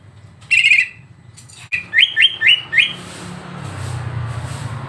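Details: Greater green leafbird training recording meant to provoke a bird emotionally: a short buzzy rattling trill, then four rapid upward-slurred whistled notes in a row, with low background hum afterward.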